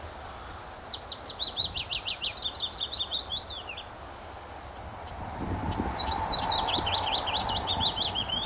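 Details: Male willow warbler singing on his territory in a wind-blown tree at RSPB The Lodge reserve, Sandy, Bedfordshire, June 2014: two soft descending phrases of sweet whistled notes sliding downward, each about three seconds, over steady wind rumble.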